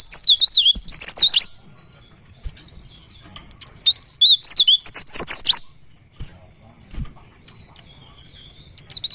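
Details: Pare pare bird singing in a continuous rolling style with open beak (ngerol bukpar): two bursts of quick, high, warbling whistled notes about four seconds apart, with a faint steady high tone and quiet gaps between.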